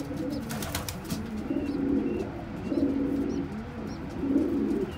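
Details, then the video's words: Kept pigeons as a squab gulps crop milk from its parent; low muffled throaty sounds swelling and fading about once a second, with faint tiny chirps high above and steady background hiss. "Pigeon Feeding (MILK)To Tiny Baby!!!"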